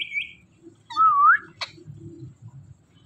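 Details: Talking Indian ringneck parakeet producing a clear wavering whistled phrase that dips and rises, followed by a short sharp click, over a low steady hum.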